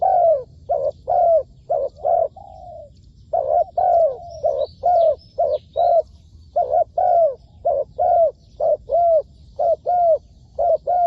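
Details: Decoy spotted dove calling during trapping: a long, steady series of low, rounded coos in quick succession, about one each half second, with one drawn-out coo near the start and faint chirps of other birds above.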